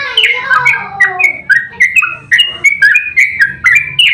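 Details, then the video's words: Trucukan, or yellow-vented bulbul, delivering emotional fighting 'ropel' song meant to trigger other birds into singing. Bright, quick whistled phrases, rising and falling, roughly one per second over a faint low hum. "Trucukan GACOR ROPEL TERPANJANG buat pancingan trucuk agar cepat bunyi"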